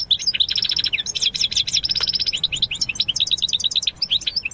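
European goldfinch singing a fast, liquid stream of tinkling twitters and trills, bright and high-pitched, with no other sounds behind it.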